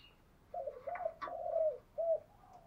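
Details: Spotted dove cooing in the 'bài bản' style: a quieter run of low, hoarse coos, one longer drawn-out note and a short final coo after a pause.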